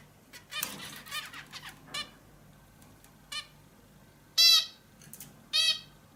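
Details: Indian bulbul giving short harsh nasal calls with many overtones, two loud ones near the end, among softer scattered chattering notes; steady low hum underneath.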